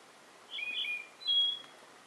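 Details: Spotted nightingale-thrush in Jujuy, Argentina, on 12 November 2018, giving two clear, high whistled notes, the first wavering and the second a steady, slightly higher tone, over a faint hiss.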